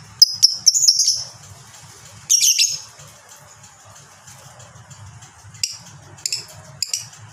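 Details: Lovebird 'ngekek' chatter from a training recording: a quick burst of piercing high chirps, a second short harsh outburst, then scattered sharp clicks and chips over faint low hum.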